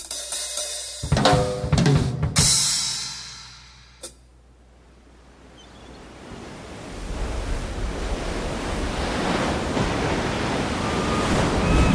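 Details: Drum and cymbal hits open the passage, then fade into a rising low rumble with no animal voice.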